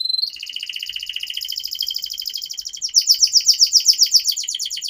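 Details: Long continuous canary song meant to coax young canaries to sing quickly: a steady, fine buzzy trill that switches midway to a louder, faster pulsing rolled trill.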